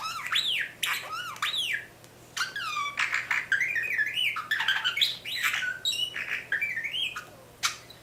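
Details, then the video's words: Small bird imitating robot-like R2D2 sounds: rapid electronic-sounding whistles that sweep up and down, warbled trills and sharp clicks, running almost continuously indoors. "Bird makes R2D2 sounds"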